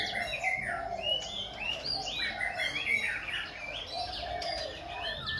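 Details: Khe Sanh laughingthrush singing while dancing, switching its voice continuously: a rich stream of varied whistled phrases, upslurs and downslurs between mid and high pitch, with a steady low hum beneath.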